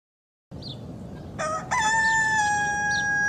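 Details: Rooster in Southwest Asia starting a crow after a short silence. A couple of abrupt opening notes lead into a long, steady, loud held tone that lasts to the end.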